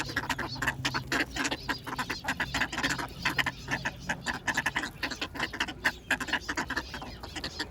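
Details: Ducks calling while being fed bread: a dense, busy run of rasping quacks and clipped honks, closely packed and overlapping, keeping up a near-constant chatter over a faint low rumble.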